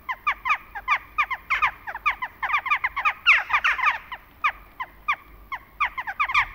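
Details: In autumn, a flock of Western jackdaws (Corvus monedula) gives short, sharp, slightly downslurred 'chak' calls, several birds overlapping in quick succession, busiest in the middle; a faint low rumble underneath.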